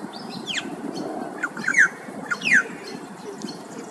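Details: Afternoon song of a male Australasian figbird in Queensland, Australia: two loud, steeply falling whistled notes about a second apart, with fainter chirps and a busy murmur of other background sound.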